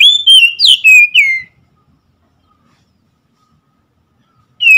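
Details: Brief burst of Oriental magpie-robin song: four quick slurred whistles with sharp downward sweeps, followed by a long silence and the start of another note at the end.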